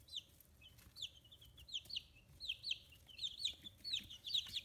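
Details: Fifteen-day-old domestic chicks, feathers growing in, raised free-range in Kitahiroshima, Hiroshima, Japan. Several chicks give high, descending whistled peeps that overlap and grow busier and louder toward the end.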